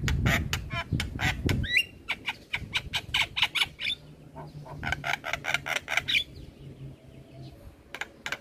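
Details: Javan myna, caged, in fast chattering song: a long run of harsh, clicking, broadband notes with a few rising whistles, and low background hum.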